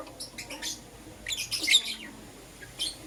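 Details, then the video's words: Lovebirds of Euwing green opaline and lutino colouring chirping in the morning: a few quick high notes, then a louder rasping, squawky burst, and one last short chirp. "Lovebird Chirping Sounds"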